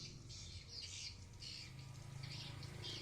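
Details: Chorus of swiftlets inside a swiftlet house in Blokagung, Banyuwangi, East Java. Clustered high squeaky chirps come in bursts every half second or so over a constant low hum.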